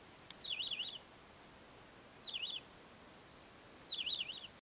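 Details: Three short, high, rapidly wavering phrases come from a Many-colored Chaco finch in Sierra de las Quijadas National Park. They are spaced about one and a half seconds apart, with quiet background hiss between them.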